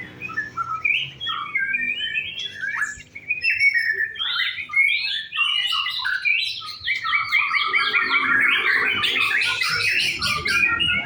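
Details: A white-rumped shama singing at a practice contest: separate whistled notes at first, then a brief pause, then a rich run of rapid repeated chirps and trills that builds steadily louder.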